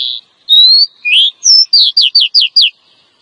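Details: Calls of a female Oriental magpie-robin meant to draw in a male: long clear whistles, some rising, followed by a fast run of five short down-slurred notes.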